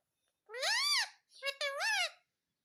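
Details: Parrot imitating "mummy" in two clear voice-like syllables, the first arching up and down, the second lower and longer after a brief break.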